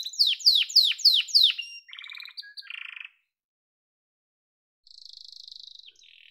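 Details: Yellow domestic canary singing: a run of rapid descending sweeps repeated about four times a second, then buzzy low trills and a short rattle, a pause of near silence, and a final high sustained trill.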